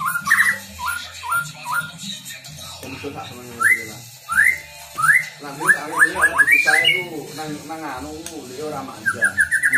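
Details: Captive-bred white-rumped shama from Ngerang, Tambakromo, Pati, Central Java, in active fill-in song: short rising whistles repeated in series, then a faster cluster of upslurred notes, over a low rumbling background.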